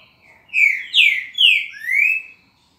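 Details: Green-winged saltator (trinca-ferro) singing a phrase whose final note is questioned as the 'boi' style: four loud, rich whistled notes over two seconds, the first three sliding downward, the last rising clearly, with a quiet background.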